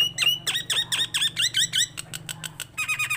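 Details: A tame Nias hill myna in song: a string of loud, swooping V-shaped whistles, then short clicks and a brief buzzy chatter, with a faint steady hum behind.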